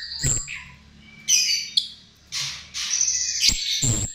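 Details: Chestnut-tailed starling lure song: scratchy high chatter and squeaky notes in bursts, with loud clicking knocks at the start and near the end.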